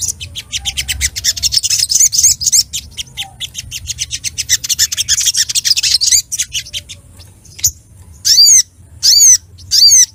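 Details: Sunbird in an agitated state, seeking a rival, pours out a rapid, high buzzy trill of dense repeated notes, then gives three sharp, high chirps spaced about a second apart.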